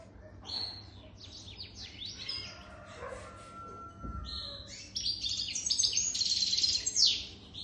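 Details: European goldfinch aged over three years singing steadily: quick tinkling chirps and twitters build into a louder, dense run of buzzy, high notes near the end, with one brief dull knock midway.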